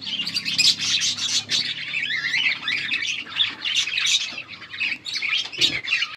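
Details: Breeding pair of budgerigars with mating calls, August 16, 2024: loud, continuous harsh squawking chatter and rasping warbles filling the whole recording.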